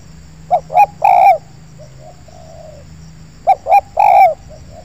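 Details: Spotted dove calling in an oil palm plantation where a wild bird came in to a lure: two loud three-note coo phrases, short, short, long, about three seconds apart, with quieter distant coos answering between.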